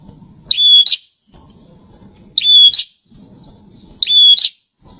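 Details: Kept bar-winged prinia in full song: three identical high whistled phrases, roughly every 1.8 seconds, each starting with a sharp chip, holding a flat piping tone and ending buzzily, over soft low background murmur.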